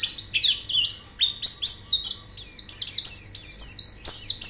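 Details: Loud, clear White-eye song as therapy audio: bright high chirps in quick bursts, each note sliding downward, with the phrases growing denser and faster towards the end.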